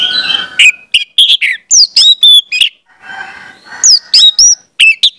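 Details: Orange-headed thrush song used to teach young birds: dense, varied whistles, slurred notes and sharp chirps in rapid succession, with a lower harmonic passage midway.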